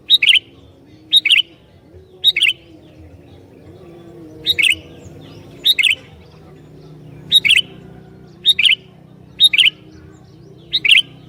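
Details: Persistent sooty-headed bulbul song aimed at provoking other bulbuls: ten short, bright phrases repeated about once a second, each a sharp note and a quick warbling chirp pair, over steady low hum.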